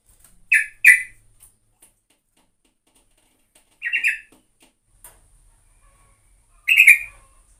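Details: Sooty-headed bulbul (trucukan) singing actively: short bubbly two-note bursts near the start, then isolated chirpy phrases around four and seven seconds, separated by silence.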